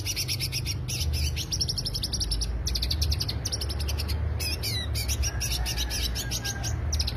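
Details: Greater green leafbird giving a lure song of rapid, rattling high chirps in long bursts with brief breaks, over low background rumble.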